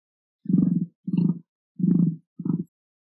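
An emu gives four deep, throaty grunting bursts, each a rough pulsing rumble lasting under half a second.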